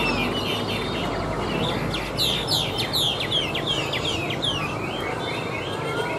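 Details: Chinese hwamei, a tame cage bird singing on a table, starts after a quiet moment with a rapid cascade of bright, repeated downslurred and upslurred whistles.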